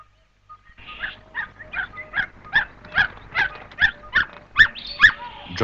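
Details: A Red-capped Robin-Chat (Natal robin), a bird of thick bush and forest in the African bushveld, mimics a dog's bark: a run of about a dozen short, hoarse barking notes, two or so per second, over a faint thin whistle.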